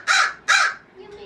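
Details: A pet crow, kept with magpies in a home bird area, gives two harsh, hoarse caws, each about a third of a second long and half a second apart, on an evening in late March, then a faint low murmur.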